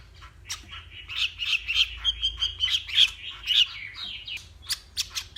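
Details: Morning contest song of a hwamei from the Vietnamese Northwest: a rhythmic string of bright ringing notes roughly three per second, bracketed by sharp high clicks, over faint low rumble.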